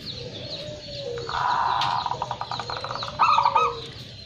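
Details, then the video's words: First-place local zebra dove cooing a sustained mellow note that breaks into a rapid pulsed stutter, then a final bright rolling phrase, with faint high chirps from other birds. "perkutut lokal gacor juara 1"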